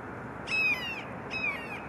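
A juvenile Red-shouldered Hawk gives two high, harsh squeals, each slightly slurred downward and about a quarter second long, a second apart.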